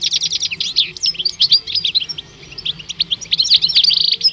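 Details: European goldfinch song from two males shown at the Rumbeke bird fair on 16 October 2021: dense, fast twittering of sharp high chirps and buzzy notes, a short lull near the middle, then renewed chatter.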